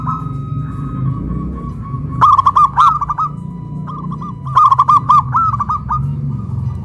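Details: Caged local zebra doves raised on a pole in Kuningan, West Java, Indonesia, one big-voiced and one crystal-voiced, sing in duet: two loud bursts of rapid rolling coos, each trailing into softer repeated notes from the second bird, low background rumble.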